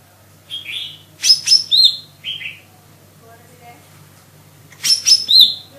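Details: Lesser green leafbird singing high, sharp whistles and downslurred notes in two clustered phrases, with a softer buzzy note between them and a low hum in the background.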